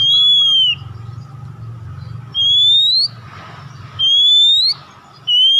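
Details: Oriental magpie-robin singing a lure song meant to set other birds singing. Loud, pure, rising whistled notes come in spaced bursts roughly every one and a half seconds over a low background hum.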